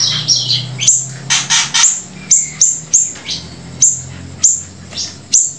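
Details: Grey-breasted prinia in lively song alongside siri-siri song: steady run of high, sharp downslurred chirps about every half second, with scratchier bursts early on and a faint low hum behind.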